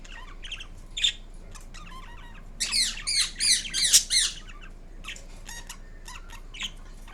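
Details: Indian ringneck parrot, green, kept indoors, making assorted sounds: scattered chirps and clicks, then a fast burst of about five harsh screeches in the middle before softer chatter returns.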